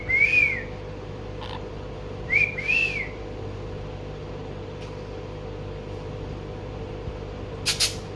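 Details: A pet monk parakeet, a green male, chirping while he talks to the TV: two arched, whistled chirps about two seconds apart, then a sharp click near the end, over a steady indoor hum.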